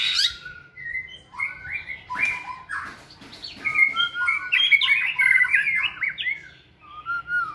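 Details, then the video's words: White-rumped shama in a flight cage, singing energetically during fitness training: a fast, varied run of clear whistles and chirps, rising and falling, with quick trills and buzzy notes packed closely together. "Giọng chòe lửa hót rực rỡ đầy năng lượng"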